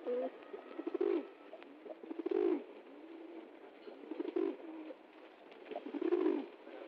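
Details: Pigeons being fed in the jungle give low throaty coos in bursts roughly every two seconds, with quiet shuffling and pecking sounds between them.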